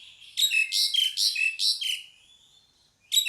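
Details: Repeated harsh, squeaky notes from a pied myna, five in quick succession with falling whistled tails, then a faint whistle and a new burst.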